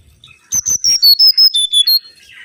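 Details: Mangrove whistler (kancilan bakau) lure song: about nine loud, pure whistled notes in quick succession, each a step lower than the last, ending in a soft trailing note.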